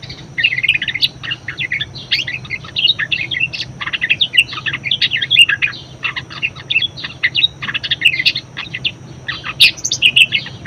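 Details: Budgerigar in full, lively song, used as a tutor to train other birds: a dense, nonstop chattering warble of quick scratchy and whistled notes, high-pitched, with a faint low hum underneath.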